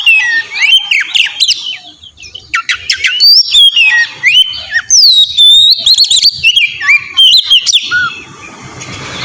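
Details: Oriental magpie-robin song used as a lure to provoke another bird into replying; loud, varied whistles, slurred rising and falling notes and rapid chattering phrases, ending in a softer hiss.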